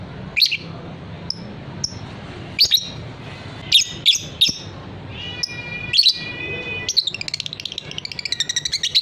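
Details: Fighter lovebird kept as a cage bird, recorded as a training recording for long-trilling (ngekek) song; sharp high squeaky chirps at irregular intervals, ending in a rapid buzzy run of repeated pulses, over a low steady hum.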